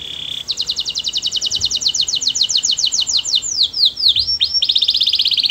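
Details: Canary singing sweetly, a rapid run of bright repeated notes, about four per second, then sweeping downward slurs and a high buzzy trill near the end.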